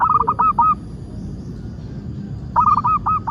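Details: Perkutut, the zebra dove of Indonesia, in lure song meant to set birds singing: two bursts of rapid bubbling coos with a drawn final note, separated by a quiet gap with low background noise.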